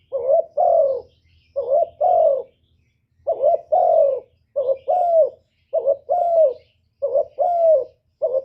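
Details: Decoy spotted dove calls persistently to lure wild doves. The deep two-note coos, one quavering and one long and sliding downward, follow each other about every second in a steady run.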